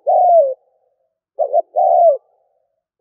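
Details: Decoy coo of a spotted dove for luring birds: a long falling coo, then after a pause a short double note followed by another drawn-out descending coo, no other sounds.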